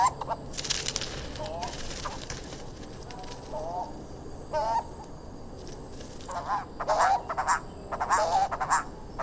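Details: Turquoise-browed motmot (Eumomota superciliosa) calling: low, croaky, wavering notes, scattered at first and then in a quick cluster near the end, with bursts of crackling noise and faint speech.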